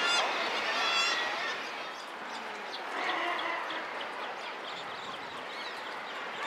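Thick-billed murres in a dense colony chorus: harsh, growling calls overlapping without pause, with higher squealing notes mixed through the din.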